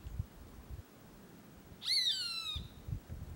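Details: Roadside hawk gives one drawn-out nasal scream slurring downward in under a second, near a small dam on a property in drought-dry caatinga, Ceará, Brazil; low wind or handling rumbles before and after.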